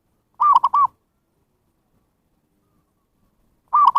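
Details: Call of a zebra dove, played to lure wild birds: a mellow, staccato three-beat coo heard twice, the phrases about three seconds apart, with silence between them.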